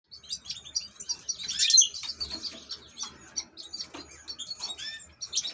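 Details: European goldfinch, an ornamental bird, singing a rapid twittering run of high tinkling notes and short buzzy trills, with a louder burst in the middle and steady chirps after it.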